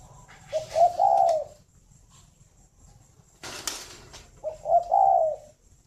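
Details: Spotted dove, a caged breeding bird at a dove farm in Ba Vì, Hanoi, Vietnam, heard in the morning: two low, soft cooing phrases, each rolling and slightly rising then falling, with a brief rustling burst between them.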